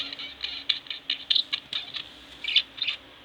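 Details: Pet budgerigars, two kept at home, giving soft scattered chirps and clicks, short bright notes in quick irregular bursts with brief pauses between.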